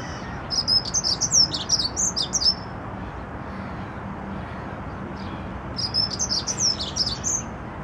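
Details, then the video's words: A dunnock singing in the garden of Notre-Dame Cathedral, Paris, gives two quick, high warbling phrases, each about two seconds of jumbled squeaky notes, separated by a pause, over a low background hum. "Accenteur mouchet - Prunella modularis - Dunnock"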